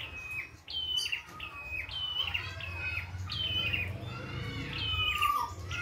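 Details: Prinia singing freely in the wild: fast chirped phrases with downward-stepping notes and a lower falling whistle near the end, over a continuous low rumble.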